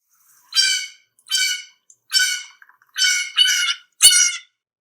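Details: A Blue Jay gives its typical call, not its song: six harsh, raspy screeches, each about half a second long, repeated roughly every second with no other sounds.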